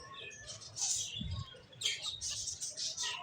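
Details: ['Chirping finches: two bursts of sharp, high-pitched chirps with a short soft thump between them.']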